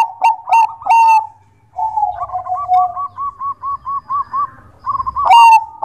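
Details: Zebra dove of the Bangkok type singing steadily. Opening bright, ringing notes give way to a drawn-out, low, wavering coo, then about a dozen evenly spaced, rounded, bubbling notes before a final loud, harsh burst.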